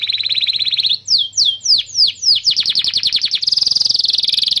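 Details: Canary song used to teach young canaries and rouse non-singing birds; a buzzy trill, five slow downward-swooping whistles, then quickening trills into a dense roll.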